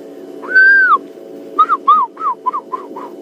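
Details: African fish eagle calling in the distance at a dam on a morning safari drive: one long, ringing whistle, then six quick yelping notes that fade and drop slightly, over a steady low engine hum.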